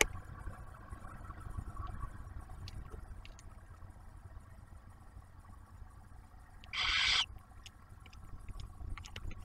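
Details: Steady engine-like hum with soft clicks and one short loud hiss near the end, and no animal calls.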